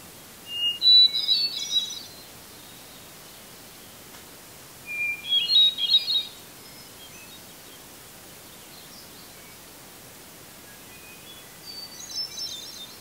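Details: Hermit thrush singing from a red pine tree in Eustis, Maine, at 8:12 PM just before sunset on July 18, 2020; three fluting phrases, each opening on a clear held note then breaking into a high shimmering flurry, separated by pauses of several seconds, the last one fainter.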